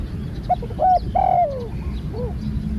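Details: A single phrase from a spotted dove in training as a new bird: two short coos, then a long, slightly descending croon, with a softer trailing note and low background rumble.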